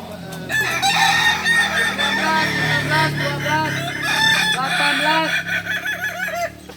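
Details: Balenggek roosters at a crowing practice contest in Ampang Kualo, Solok city, crow in a continuous chorus of wavering, arching syllables repeated rapidly, many birds overlapping, over a low hum of people.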